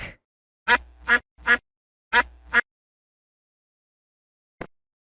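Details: Duck quacking: two sets of loud, raspy, nasal quacks, three then two, separated by a short pause, followed by quiet and a faint click.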